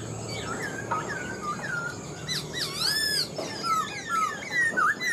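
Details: Older wild-caught Black-throated laughingthrush in captivity gives a varied whistled song, with sliding notes, one high swooping squeal midway, and more descending slurs, over a low background hum.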